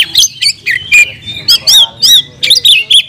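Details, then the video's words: Short burst from a kept oriental magpie-robin: about ten crisp, loud whistled notes, each a quick slur or chip, spaced roughly a quarter second apart. "kacer gacor nagen sampe leklok"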